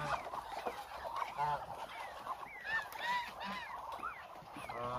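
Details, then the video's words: Muscovy ducks, a hungry flock of about a thousand, wandering about; many short curved squeaky honks from different birds overlap rapidly, with a few deeper grunts. "1000 Hungry Muscovy Ducks"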